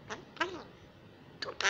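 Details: A young hand-raised female common myna in Israel, rescued after falling from the nest, which began talking Hebrew at six months, gives three harsh, nasal, speech-like bursts in under two seconds, the last a rasping squawk.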